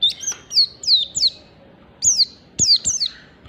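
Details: Oriental white-eye in 'ngalas standar' style, a song meant to draw other white-eyes into singing: quick high whistled notes sliding sharply downward, in pairs and triplets, over soft background hiss.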